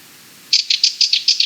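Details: Rattling call of a Sardinian warbler: seven dry, scratchy 'tret' notes at an even quick pace over about one second.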